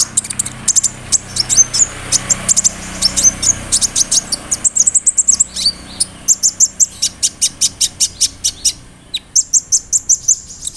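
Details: Sunbird (kolibri ninja) singing a long rolling song with fillers copied from cricket, cililin and sparrow. Dense high chattering ticks and buzzes run on, then a steady train of evenly spaced sharp clicks closes the phrase.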